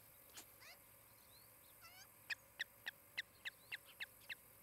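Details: An osprey at a pair's nest in Charlo, Montana, on 23 July 2018 between about 10:35 and 11:35, gives a quick series of about ten sharp, whistled chirps, roughly three per second, after a few softer upslurred notes.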